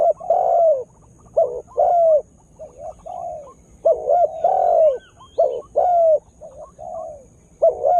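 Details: Spotted dove used as a lure bird to draw wild birds and make them agitated, just starting to call vigorously; low hollow coos in quick clusters of two to four, with faint high chirps and a steady thin whine behind.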